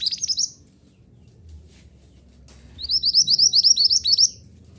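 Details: Mantenan gunung song played to train caged birds: a high, rapidly repeated series of downward-slurred chipping notes, one short burst and then a longer run of about fifteen notes, with quiet low background hum.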